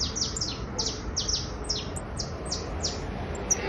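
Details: Criollo basto canary in trilling song, high piercing notes that slide downward, delivered in a steady rhythm several times per second, paired in places, above a soft low hum.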